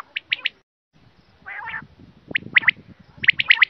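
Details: Quail voice played to lure birds for hunting: a quick triplet of bright, high chirps, a pause, a harsh rasping burst, then further clipped chirps in twos and threes over faint low rumbling.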